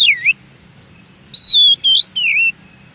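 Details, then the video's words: Wild Oriental magpie-robin song: a dipping whistle, then loud clear whistled phrases rising and falling between high notes, three in quick succession, over a faint low hum. "suara KACER di ALAM"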